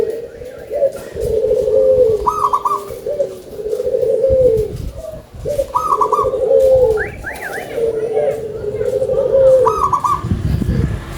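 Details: Local zebra dove, praised for its big voice, singing steady phrases of low, rolling, bubbling coos. Short higher trilled notes cut in at intervals, and a few sharp chirps are heard near the middle.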